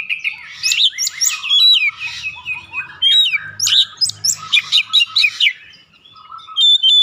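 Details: Singing Oriental magpie-robin used as a lure to make birds sing: energetic, varied phrases of sharp chips, rising and falling whistles and trills in quick bursts, a brief lull, then clear whistles at the end, with soft low thumps.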